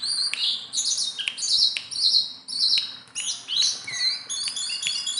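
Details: Tame Sunda bulbul, a steady singer that can be handled by hand, giving high thin chirps and whistled notes in overlapping bursts, some sharp clicks between phrases, almost continuous for five seconds.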